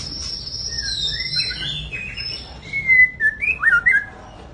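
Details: White-rumped shama, a big cage bird, starting with a thin high drawn-out whistle and moving into lower sweeping notes, ending in several loud, punchy whistled bursts.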